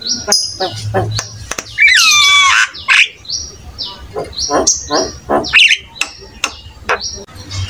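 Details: Busy Javan myna song meant to prompt other mynas into singing: rapid clipped high notes about three a second, broken by a loud swooping whistle and a buzzy rasp near the middle.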